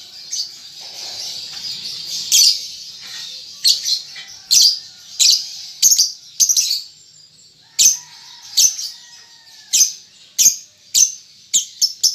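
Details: Baby lovebird, a young bird just weaned, learning to chatter in the ngetik ngekek style, producing a long series of shrill, rasping chirps, irregularly spaced and grouped in twos and threes.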